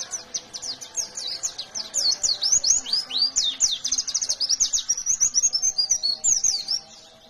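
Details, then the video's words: A white-eye pours out a fast, high twittering song of thin, sweet chirps and slurred notes, tumbling on almost without pause; no other sounds stand out. "Suara burung pleci Gacor fighter"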